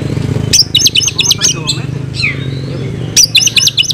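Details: Oriental magpie-robin delivering fighting-style song with filler material: two bursts of rapid, bright staccato chips separated by a soft rising whistle, with a low background hum throughout.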